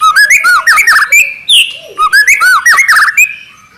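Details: White-rumped shama song of fast, rich, lower-pitched warbling whistles in quick bouncing phrases, with a brief squawk-like note in the middle.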